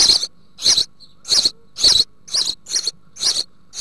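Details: House sparrows, a female feeding nearly fledged young in a crowded nest box in the Altmark, Germany, June 2019. Loud, harsh, buzzy chirps in a steady series, roughly two per second.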